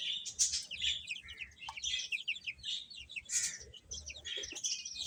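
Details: Chicks chirping while eating: many quick descending peeps overlapping in a steady shrill chatter, with faint low background noise.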